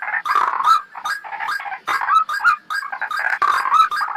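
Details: Ruak-ruak lure call of the white-breasted waterhen, a trapping recording: loud, rasping notes tumble in rapid clusters separated by brief silences, sounding raucous and croaky.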